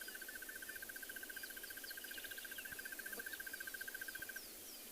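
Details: A Crested Barbet perched on top of a tree at sunset in Tswalu Kalahari Reserve, South Africa, gives a long, even trill of rapid mid-pitched notes lasting about four seconds, advertising its territory; faint high chirps from other birds behind.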